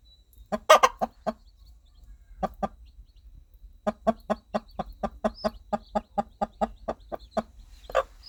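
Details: A mother hen clucks to call her baby chicks toward food and safety, giving a long, even run of short low clucks about three per second after a brief pause, with only faint chick peeps.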